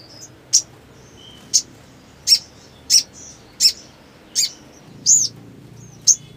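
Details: Black sunbird (sogon) in breeding condition, singing vigorously in 'ngleper' style; sharp, very high chirps repeated about once a second, eight notes, with brief thin whistles between them.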